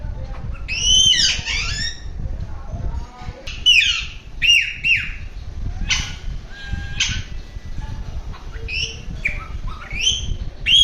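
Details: Alexandrine parakeet making different sounds: a varied run of loud, harsh screeches and squawks, some with a bent, rising-falling shape, others clipped, coming in clusters over about eleven seconds above a steady low hum.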